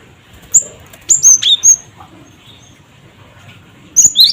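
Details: Cinereous tit lure calls for getting other birds to call: a lone high chip, then a run of four thin whistled notes, a pause, and a final pair of sharp notes.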